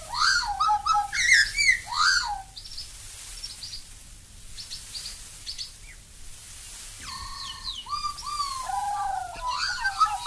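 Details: Black-backed Magpie, Australia: the start is a burst of quick chortling, warbled notes. After a lull of faint high chips comes a run of mellow, descending fluted phrases overlapping one another.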